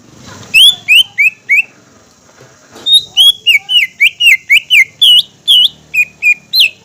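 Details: Green leafbird (cucak ijo) in full song, used as a lure to get other leafbirds singing and excited. Two bursts of loud, slurred whistles: four descending notes, a short pause, then about twelve rapid, varied whistled notes with bright, ringing overtones.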